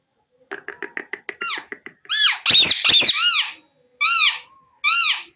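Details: Indoor Indian ringneck parakeet talking and mimicking: a quick run of dry clicks speeds up, then loud, harsh, word-like syllables with arched, ringing tones, each separated by short pauses. No other sounds are heard.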